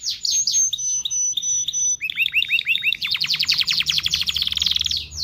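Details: Canary song, sung to stimulate mating: thin whistled notes, then a run of repeated upward-curving chirps, then a fast rapid trill of rising notes, all high and clear.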